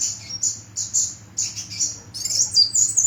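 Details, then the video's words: Kolibri, a small bird noted for its distinctive voice, giving a run of high, thin, slightly falling chirps about two per second, breaking into a faster squeaky twittering phrase, with a faint low hum behind. "Kicau Kolibri"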